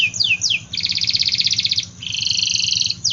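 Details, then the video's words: Canary singing strongly, aimed at coaxing reluctant and young canaries: two descending whistled swoops, then a rapid pulsing two-toned trill, a second higher trill and a final falling sweep. "Kenari Gacor Af , Pancingan Kenari Sulit Bunyi dan Kenari Paud"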